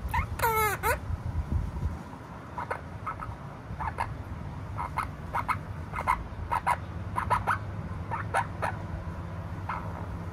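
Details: A pet Opaline monk parakeet opens with one loud, harsh rising squawk, then keeps up soft rapid clicking chatter and short scratchy notes for several seconds over a low room rumble.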